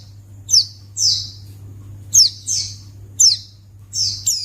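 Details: White-eye (pleci) luring calls meant to draw a quick response from other white-eyes: pairs of thin, high, downward-sweeping chirps, a sharp note then a longer slurred one, repeated roughly every second, with a constant low hum behind.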